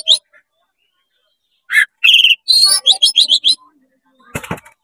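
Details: Excited oriental magpie-robin opening its tail while singing to fire up other magpie-robins; short bursts of rapid buzzy, chattering high notes repeated several times, followed by a brief harsh rasp.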